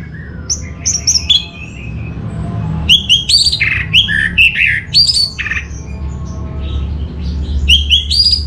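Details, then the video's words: Orange-headed thrush (Geokichla citrina) singing a rich, varied run of whistles, slurred notes and scratchy trills, phrases tumbling one after another with brief pauses; used as a lure and training song. "Suara ANIS MERAH"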